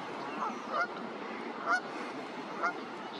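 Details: Brant at Sainte-Catherine on 1 May 2023, giving short, throaty honks about once a second over a soft background murmur, likely from other geese in the flock.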